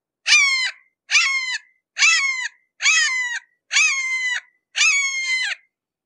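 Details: Red-shouldered hawk seen up close, calling six times in a steady run: strident, slurred screams that drop in pitch at the end, spaced about a second apart, against silence.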